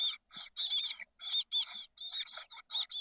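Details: Thirteen-day-old chestnut-backed chickadee nestlings, six hatched mid-May in a nest box on the SF Bay south peninsula, give loud close harsh rasping bursts in quick irregular succession, some long and drawn out.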